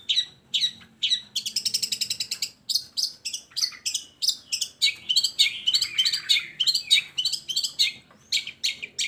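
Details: Long-tailed shrike song as a lure for shrikes that rarely sing: a lively stream of sharp chips, rapid rattling trills and scratchy chattering notes, repeated at roughly one per second, with faint low hum.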